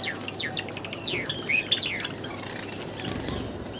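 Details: Java sparrows kept in an aviary during bathing, uttering a few quick, high, downslurred chirps in the first two seconds, then mostly fluttering and splashing noise with faint calls.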